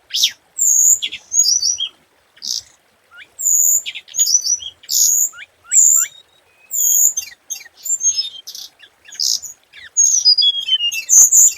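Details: Thin, high, rapid chirps and downward-sliding whistles from a scarlet minivet lure bird, delivered in short clustered phrases separated by brief silences.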